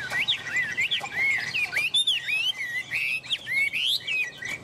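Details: Chinese hwamei, a tame bird sitting on a person's hand, delivering loud clear whistles that rise and fall in curving slurs, several varied phrases in quick succession.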